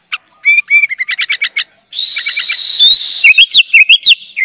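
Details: Singing sooty-headed bulbul, gacor full isian, a tutor recording for young birds: spaced chirps quicken into a stuttering run, then over a hissy background come bright whistled sweeps looping up and down in a rhythmic series.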